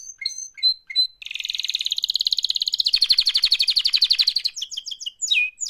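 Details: Canary singing a song described as its mating call: short whistled notes, then a long, fast rolling trill of evenly repeated pulses about four seconds long, ending in quick sweeping whistles.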